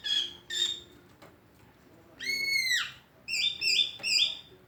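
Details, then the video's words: Greater green leafbird with an unusual voice: two rough notes open, then a long arched whistle rising and falling, and finally three quick, bright, stepped whistled phrases. "Cucak ijo suara aneh tapi ngetrend"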